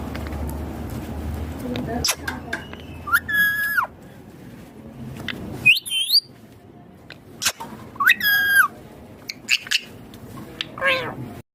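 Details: Rose-ringed parakeet sitting on a neem tree in India; loud harsh screeching calls with stacked rising and falling harmonics, three or four outbursts spread over several seconds, with background noise and scattered clicks.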